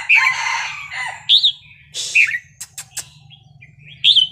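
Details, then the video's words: Red-whiskered bulbul wild-style song mixed with rough, noisy bursts and clicks; short bright whistled phrases break through at intervals over a low hum. "นกกรงหัวจุกเพลงป่า สำนวนเพราะ ๆ"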